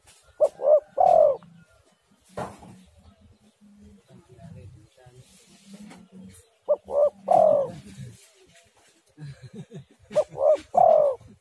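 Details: Spotted dove call played as a lure to get other doves calling: three cooing phrases roughly every four to five seconds, each two short soft coos then a longer, drawn-out croo, with low murmuring background sounds between phrases.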